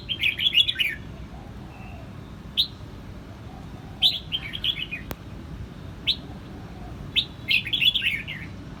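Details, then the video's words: Red-whiskered bulbul singing in Quang Nam, Vietnam: short bright warbled phrases of quick rising and falling notes, given in bursts every one to two seconds with isolated chirps between, over a steady low background rumble. "Vietnam bird is singing!越南广南戴帽鸟之歌"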